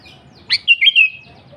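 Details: Single bright phrase of an energetic sooty-headed bulbul: a sharp upward note, then three rolling, liquid whistled notes, with soft background hum.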